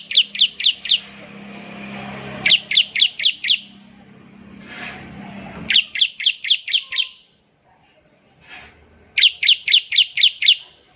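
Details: Bar-winged prinia in full ngebren trill, played to draw song from other prinias. Four quick bursts of five or six bright, sharp notes each, with a low background hum and brief gaps between the bursts.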